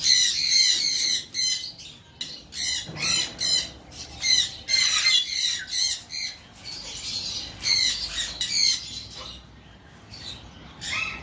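Green-winged macaw giving loud, harsh squawks in rapid, uneven bursts, roughly two or three a second, with brief gaps.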